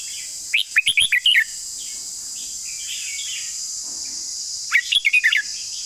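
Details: Red-whiskered bulbul delivering its long song: two bright bursts of about six rapid, clear whistled notes each, roughly four seconds apart. Quiet warbling fills the gap, with a steady high-pitched hiss throughout.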